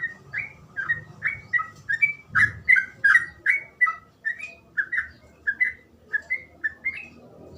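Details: Sooty-headed bulbul singing 'gacor ropel' style: an even, fast chain of mellow, two-part slurred whistles, about three a second, over a low rumbling background.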